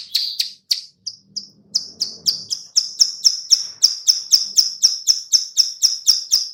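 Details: Female plain prinia click-click call, used as a lure to make birds respond: rapid dry clicks, a few spaced at first, then a fast regular series of about four per second.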